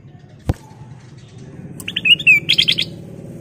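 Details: A golden bulbul (kutilang emas) in full song gives a quick bright phrase of chirpy, slurred notes lasting about a second, over a low background hum with one sharp knock; used as a lure recording. Bulbul.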